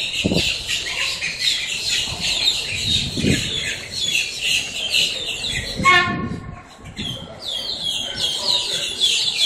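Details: Blackbirds up close in Miami, Florida, filling the air with a racket of rasping, overlapping squawks, with one brief nasal, buzzy call standing out midway and low thuds in the background.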